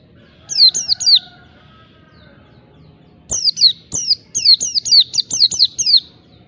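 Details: Oriental white-eye singing its wild, rival-provoking song: three high slurred notes, a pause, then a fast string of about ten sharply falling whistles, each roughly a quarter second apart.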